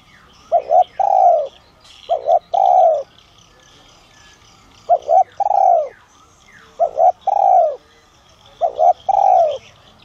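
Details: Spotted dove of the giọng son voice type, used to draw in wild doves: two quick rounded coos followed by a drawn-out falling coo, phrases recurring at uneven intervals; soft twittering of small birds in background.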